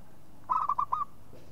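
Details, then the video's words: A single phrase from a local zebra dove: a rapid run of four soft, rolling coos at mid pitch, the last one drawn out slightly and curling upward, over a quiet background. "SUARA MEMANGG PERKUTUT LOKAL"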